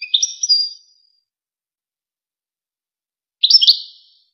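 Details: Goldfinch Wakr Touzgha training song for young goldfinches and hybrids: a brief, high twittered fragment at the start, a long quiet gap, then another short, bright tinkling burst near the end.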